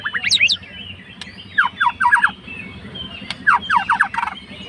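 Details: Fighter white-rumped shama song meant to stir a rival: short bursts of fast downward-sweeping notes, grouped in clusters about a second apart, with a constant low droning hum behind.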